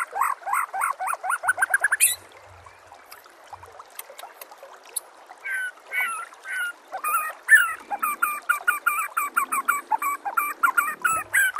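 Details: Murai batu, or white-rumped shama, song compiled for training caged birds: fast repeated down-slurred notes, a pause with trickling water, then varied chattering and whistled phrases.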